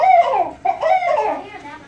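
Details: A captive Barred Owl held by a handler indoors in Mississippi gives its monkey-like call, a wavering cackle in two quick surges, rising then sliding down, with room echo.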